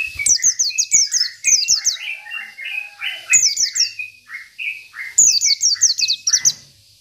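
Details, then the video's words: Provoking song of a local 'isian' Oriental white-eye: four separate volleys of fast, shrill descending notes, each answered by mid-pitched whistled phrases, almost without pause. "PLECI BIKIN EMOSI LAWAN || Pleci Lokal || Pleci Isian"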